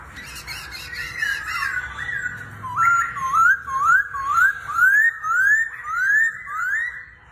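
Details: Laughingthrush said to dance like a circus act, first warbling, then repeating about eight loud upslurred whistles in a steady rhythm, a little over one per second.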